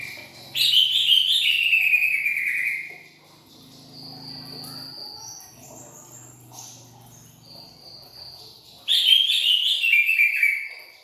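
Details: Cucak ijo, the greater green leafbird, singing a loud cascading warble that slides from high to lower whistles, pauses with soft thin tones, then bursts again near the end.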